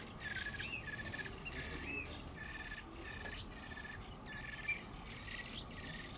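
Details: Eurasian blackbird young leaving an early nest, one of a brood of two, thrashing and flapping as they fledge. Harsh, buzzy, noisy calls come in repeated bursts of roughly half a second, with brief gaps between them.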